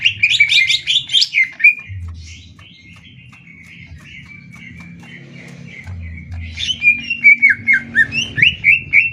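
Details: Greater green leafbird contest, Banyuwangi against Kalimantan, in 'tembak ngetrek' style: a fast burst of high chirps, a quieter stretch with low hum, then a run of evenly repeated whistled notes.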